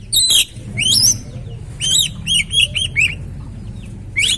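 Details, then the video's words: Oriental magpie-robin (kacer) singing to stimulate another bird: harsh opening burst, then a series of short arched whistled notes repeated about twice a second, over a low background rumble. "Pancingan Burung Kacer"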